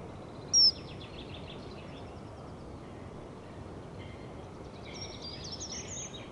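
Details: Male common kingfisher perching briefly at a nest site webcam in Leusden, the Netherlands, at 07:30 on 3 March 2011: one sharp, very high, short whistled note early on, over steady background hiss and faint chattering of other small birds.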